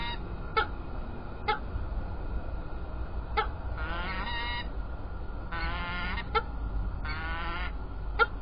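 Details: Peregrine falcons recorded at Illkirch-Graffenstaden on 3 February 2018 give three rough, wavering, harmonic wailing calls of about a second each. Sharp clicks recur throughout over a steady low rumble.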